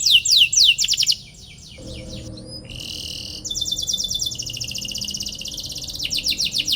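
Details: Long 'cuit cuit' canary song for baiting other canaries into singing: rapid sweeps, a pause holding a steady tone, then a dense buzzy trill returning to fast sweeps.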